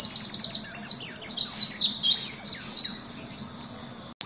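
Oriental white-eye in a fast, high, thin twittering song of tumbling chirps and slurred whistles, continuous with no pauses; a faint low hum underneath and a click at the end.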